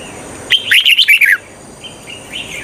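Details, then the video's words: Lure bulbul, a red-whiskered bulbul used to draw wild birds toward traps, sings a single rich, rapid phrase of five or six chirpy, slurred notes, followed by softer distant twitters over a thin high hiss. "Chào mào mồi cực nhạy _ Âm thanh cho ae đi bẫy _ Chào mào mồi dụ bổi rừng"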